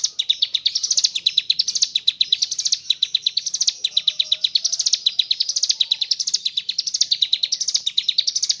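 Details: Mountain leaf warbler in long, unbroken gacor ngebren song, with kapas tembak imitations: a rapid stream of high, sharp notes that swell upward in waves about every second.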